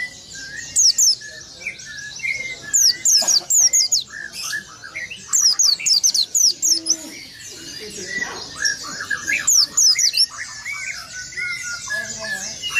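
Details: Oriental white-eye delivering its rolling song, meant to provoke rival birds: repeated volleys of fast, high, falling whistles in several bursts, mixed with busy lower twittering from other birds.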